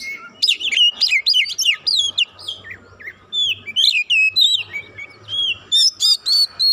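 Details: White-rumped shama singing to provoke a rival, quickly agitated and unloading its full repertoire: rich varied whistles and rapid chattering phrases, many sharp upslurred and downslurred notes in dense bursts, with brief pauses between bursts.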